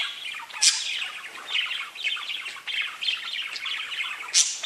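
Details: A continuous stream of parakeet chatter as the birds talk to each other, rapid overlapping warbles and chirrups without pause, punctuated by two shrill high squawks.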